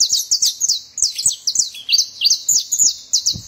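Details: Saffron finch singing a fast run of sharp, high chirps, each note a quick slurred chip, about three per second in an uneven rhythm, with faint low taps underneath.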